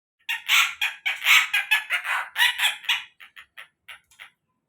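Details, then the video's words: Collared kingfisher giving a loud, harsh, rasping series of about a dozen notes. They are strongest at first, then break into shorter, quieter clipped notes that fade out over about four seconds. "suara burung tengkek buto"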